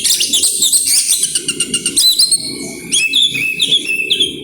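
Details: Fast grabakan singing by an oriental magpie-robin with isian fill-in: quick pulsed high notes for two seconds, then clear whistled phrases stepping up and down, low room noise underneath.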